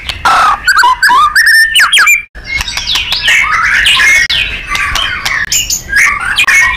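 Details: Loud white-rumped shama song from a masteran for contest birds, styled gacor and nembak: quick falling whistles and chips, then a long jumbled warbling passage of overlapping notes.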